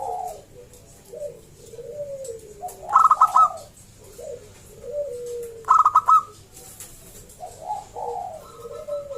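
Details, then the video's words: Local zebra dove (perkutut lokal), loud and lively, whose singing is meant to prompt other zebra doves to sing; soft low purring coos run throughout, broken twice by quick bright stuttered coo phrases. "Perkutut lokal Gacor SUARA ASLI KRISTAL MERDU Ampuh Mengundang Bunyi Semua Perkutut Lokal"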